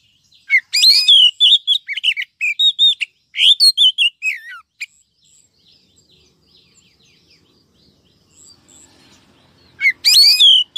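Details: Female oriental magpie-robin calling to excite males and lure wild birds, a 2023 trapping file: rich bursts of sharp, whistled and chattering notes for about four seconds, a long silent gap, then a fresh loud burst near the end.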